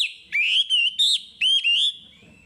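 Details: Chinese hwamei singing energetically, recorded for training untrained caged birds: loud, clear whistled notes, each a smooth upward slur or level tone, given in two groups of three, then a fading tail.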